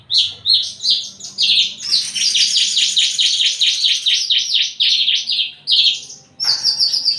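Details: Breeding-condition Javan bush lark courting another bird: quick whistled notes lead into a long dense run of rapid buzzy chirps, then renewed bright whistles.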